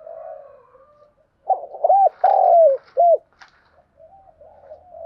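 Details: Đồng Nai spotted dove calling as a lure: faint low murmurs, then a loud phrase of quick stuttering coos, a long falling coo and a clipped final note, followed by soft distant cooing and a click.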